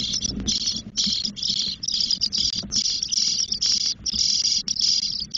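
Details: Ten-day-old Spotless starling chicks in a nest in Doñana National Park, Spain, begging for food from the female: loud raspy hisses in bursts near half a second long, about two each second, with faint low rumbles beneath.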